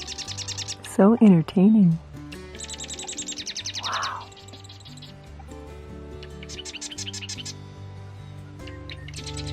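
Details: Two Marsh Wrens in cattails at a marsh in the Monte Vista area, Colorado, in spring 2024 after a storm call back and forth in rapid, buzzy, high rattling bursts, with background music and a brief voice.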